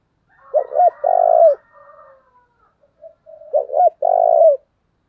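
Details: Two near-identical phrases from a decoy spotted dove meant to lure wild doves. Each has two brief coos and one long, buzzy-edged coo, with quieter coos and faint whistling in between.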